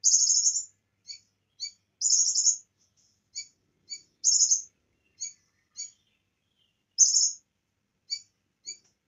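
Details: Bar-winged prinia in vigorous song, a training recording mixing in cililin phrases: dense high buzzing trills alternate with evenly spaced sharp chips, with a few soft twitters between phrases.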